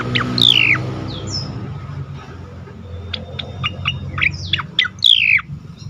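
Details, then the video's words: Asian pied starling (cucak koreng) singing loudly and continuously in ngerol and nembak style: long descending whistles, then a run of short sharp notes, with a steady low hum underneath. "burung cucak koreng gacor ngerol nembak keras"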